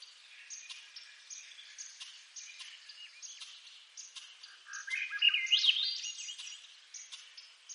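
A Swainson's thrush gives one breezy, flute-like phrase spiraling upward, over a steady backdrop of fast, high ticking chirps from other small creatures.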